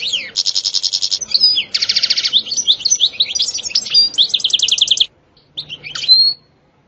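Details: European goldfinch singing in the sitsita and bitbita styles. Rapid rattling trills alternate with buzzy, broad-band stretches and quick twitters, and a few isolated notes close the song after a short pause.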